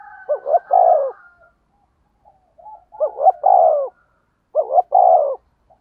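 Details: Decoy spotted dove in the fast rustic 'thúc gù' voice. Three evenly spaced phrases each open with two short rising notes and end in a longer, downward-sliding coo, with a faint higher hum early on.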